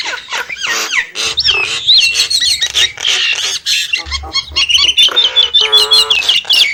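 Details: Nias hill myna pouring out a dense, varied song of harsh squawks and gurgles, mixed with rising and falling whistles and a wavering high whistled phrase near the end.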